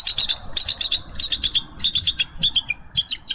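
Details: A bald eagle at a Minnesota nest on 6 March 2013, around landing, gives a steady chatter of high, thin chirps in quick clusters of three or four, repeated without pause.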